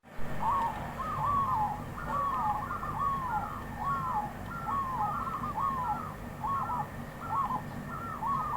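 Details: Wild zebra dove singing a steady series of short, soft cooing notes, each quickly rising then falling, run close together for about eight seconds with a faint background hiss.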